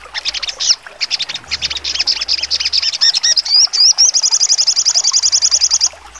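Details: A sogon sings sharply in the trotol style. Dense high chirping turns into wavy rising whistles, then a long, rapid trill of evenly spaced notes runs for about two seconds.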